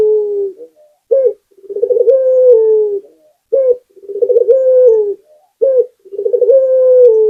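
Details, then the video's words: A local puter dove coos steadily: short emphatic note, rapid bubbling pulses, then a sustained low tone easing downward. Phrases repeat about every two and a half seconds in a quiet setting. "Puter Lokal #1 - Suara Burung Puter Gacor || PANCINGAN ANTI MACET"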